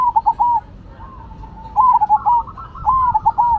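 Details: Zebra doves of the Cemani and Silver strains singing actively in a head-to-head comparison: short rolling cooed phrases near one pitch, each a quick stutter of notes ending in a longer coo, given in three bursts with quiet gaps.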